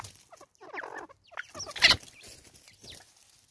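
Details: In South Africa, 2024, an angry female Natal spurfowl utters grating, scratchy cackles, one sharp loud burst standing out midway, with light chirps of other birds.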